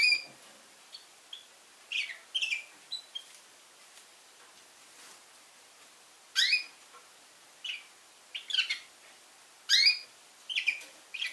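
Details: A young red factor canary sings in short, scattered bursts of high chirps and rising sweeps, with pauses between phrases and a quiet background.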